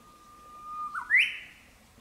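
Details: Japanese bush warbler singing in spring in the countryside during the breeding season: a long, steady, level whistle, then a quick bright flourish that jumps sharply higher and ends abruptly.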